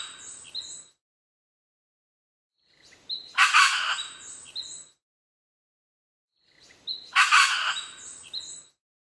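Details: Red wattlebird (Anthochaera carunculata) in Australia, 21 December 2015, giving harsh, raspy, coughing bursts with a few squeaky notes, repeated roughly every three to four seconds.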